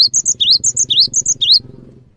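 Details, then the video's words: Cinereous tit song to provoke other birds to sing: crisp alternating rising sweeps and high whistles, repeated quickly for about one and a half seconds above a steady low droning hum. "GELATIK BATU GACOR | WUCIT PANJANGNYA BIKIN GELATIK LAIN JADI TERPANCING UNTUK IKUT BUNYI"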